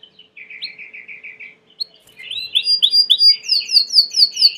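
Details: Domestic Belgian canary with a soft run of repeated short notes, brief chips, then louder sweeping whistled phrases repeated rhythmically at rising and falling pitches.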